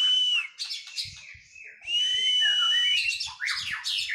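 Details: Singing Oriental magpie-robin after moulting, during training: two long, ringing sustained whistles separated by shorter slurred notes, then rapid sharp chips, with soft low knocks in the background.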